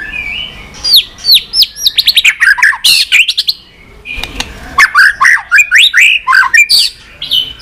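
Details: White-rumped shama in continuous 'tach' song, played to spur weak pet shamas: quick series of downslurred whistles and sharp clicking notes, a short quiet gap, then another fast run of varied slurred phrases.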